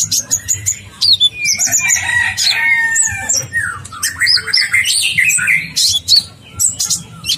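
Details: Persistent ninja sunbird song used as masteran material with long rolling fills: busy high twitters, downward-sliding whistles and a few longer warbled notes, delivered without pause over a soft background hum.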